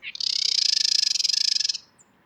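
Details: Female Carolina Wren gives a harsh, buzzy chatter, a rapid rattle of about thirty pulses over a second and a half; females use this call to threaten other females or to signal an aggressive male she is no threat.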